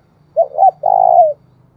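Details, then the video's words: One thúc bổi phrase from a spotted dove, used to stimulate another dove: two short clipped notes, then a longer, evenly pulsing low coo that fades down at the end. "tiếng cu gáy thúc bổi"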